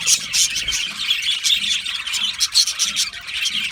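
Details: Australian budgerigar colony in an aviary, many birds chirping together in a dense, continuous high-pitched twittering chorus with quick sharp chips rising above it.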